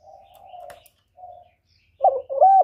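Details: Lure call of a spotted dove for trapping: two faint drawn-out coos with a click between them, then a loud, close pair of low coos, the second rising then flattening out.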